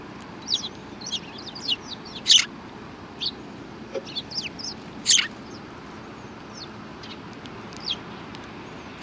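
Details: Sparrows recorded on 2 January 2019 give sparse, sharp, high chirps at irregular intervals, with a few louder single notes standing out against a low, constant background rumble.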